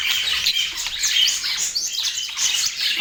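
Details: Busy budgie chatter from Portland: rapid twittering chirps and sweeping warbled notes crowd together in a steady, lively stream.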